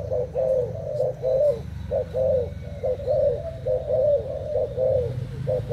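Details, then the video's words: Caged Thai spotted dove in a cooing contest with a decoy bird: clear, low, rounded coos in quick rhythmic groups of two and three, about one group per second, over a steady low hum. "Cu gáy thailand đấu gù mồi trần"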